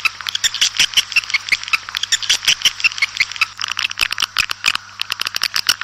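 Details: Outdoor swiftlets calling to the flock, a dense, irregular chatter of high buzzy twitters and clicks overlapping from several birds.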